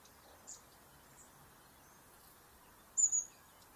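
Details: Long-tailed tit, typically detected by its call and found in flocks, giving very high, thin notes: two faint single notes, then a brighter double burst near the end, over a steady soft hiss.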